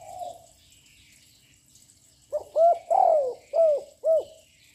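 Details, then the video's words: Spotted dove, young and loud, cooing repeatedly to challenge other birds: a faint distant coo, then after silence a phrase of five low coos with a longer falling note in the middle. "Chim cu gáy tơ giọng lớn kích bổi căng lửa ngay / gáy liên tục"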